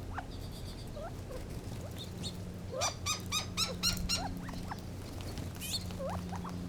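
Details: Scattered soft upslurred chirps from Gambel's quail, then a burst of six or seven sharp, ringing harmonic notes near the middle, followed by more quiet rising chirps; low steady hum throughout.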